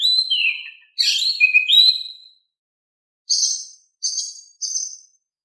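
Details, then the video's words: Oriental magpie-robin singing calmly to prompt a reluctant bird to respond: a falling whistled phrase and rich warbled notes for two seconds, then after a pause three short high buzzy bursts about half a second apart. "Kicau Kacer Gacor Suara Kalem cocok untuk bikin Nyaut Kacer Malas Bunyi"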